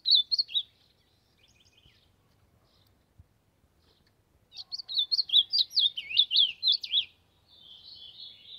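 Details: Ultramarine grosbeak warming up its song: a short whistled opening, a pause, then a longer rapid run of twisting, slurred whistles ending in a buzzy trailing note.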